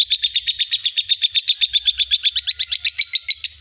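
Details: Lovebird in a master recording for training other birds: a fast, steady trill of high chirps, about four per second, keeping a level pitch before rising slightly toward the end, with a faint low hum beneath.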